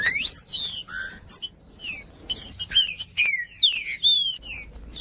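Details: Green-winged saltator song for warming up a cold bird: loud rising sweeps and chips, then several clear descending whistles repeated about twice a second.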